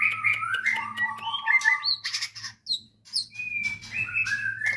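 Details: Productive breeding white-rumped shama of a nationally winning line at a local farm, singing fluid varied whistles with slurred phrases and a few high sharp notes, over low humming and clicks.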